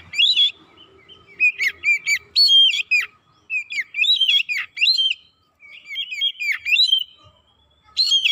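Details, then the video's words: Oriental magpie-robin lure song to provoke other birds: loud phrases of bright, sharply slurred whistles and chatters separated by pauses of about a second. "PANCINGAN KACER CEPAT KONSLET NGOTOT BONGKAR ISIAN"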